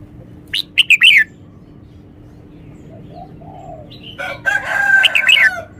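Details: Red-whiskered bulbul singing with clear, stressed notes: a quick run of bright chirps descending in pitch, soft low murmured notes, then a fuller, louder warbled phrase with trilling, slurred whistles.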